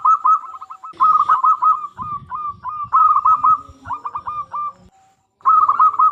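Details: Local zebra dove singing to prompt other doves into song: bursts of fast rolling coos and spaced single notes, with clicking and rustling noises in the middle and a final trilled phrase.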